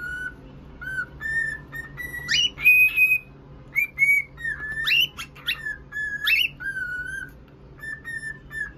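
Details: Pet cockatiel giving bright whistles, some long and flat, others sweeping sharply upward, in irregular bursts with short pauses between; a steady low hum runs underneath.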